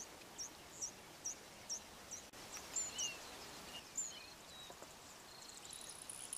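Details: Male Yellow Bishop calling, later displaying for a female; a series of short, very high thin notes repeated about twice a second, then scattered higher buzzy notes and faint insect hiss against steady background noise.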